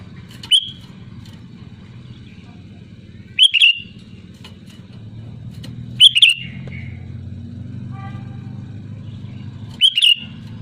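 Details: Sooty-headed bulbul calling out to rivals, used as a lure to provoke singing: four brief bubbling phrases spread unevenly across ten seconds, separated by long pauses, with a low steady hum and faint background noise.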